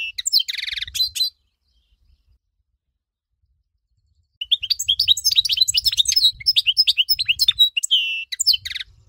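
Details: Goldfinch song for teaching birds: a short burst of jangling, buzzy twitter, a pause of about three seconds, then a long, lively stream of chirps, rising whistles and trills over a soft low hum.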